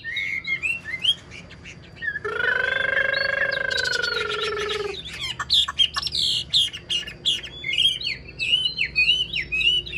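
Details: Wild-caught elderly Chinese hwamei in captivity, prized for its excellent voice, sings bright slurred whistles, breaks into a harsh drawn-out note lasting about three seconds, then resumes quick varied whistled phrases.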